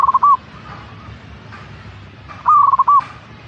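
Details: A local zebra dove (perkutut) ends one phrase and then gives a full stuttering coo, a quick run of soft rolled notes finishing on a longer coo. Faint cooing is heard in between.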